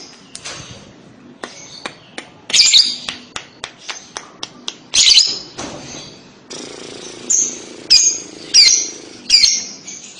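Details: Lovebird calling used to prompt young lovebirds to respond. Soft ticks and taps give way to increasingly frequent harsh squawks, which come about every half second to second in the final seconds.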